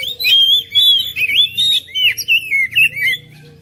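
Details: Kacer, or oriental magpie-robin, song for prompting other birds: continuous loud whistled phrases, sliding up and down, broken by quick chirps, over a faint low hum.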